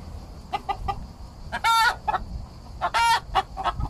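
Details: Domestic Araucana hen vocalising as she drinks, stirring up nearby roosters: scattered short clucks broken by two loud, drawn-out raucous squawks about a second apart, followed by softer clucking.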